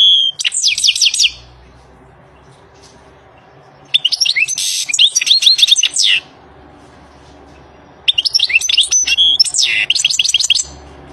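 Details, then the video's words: Free-living European goldfinch delivering three separate bursts of tumbling, tinkling twitters and buzzy notes, each about two seconds long, with a soft low rumble in the background between phrases. "تغريد طائر الحسون The song of the goldfinch Le chant du chardonneret El canto del jilgero Saka kuşu"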